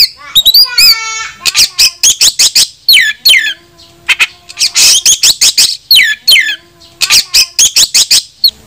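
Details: Oriental magpie-robin calling rivals to fight, a lure meant to make others spread their tails; rapid, energetic series of loud whistled slurs and clipped scratchy notes, tightly repeated, with a brief rasping burst midway.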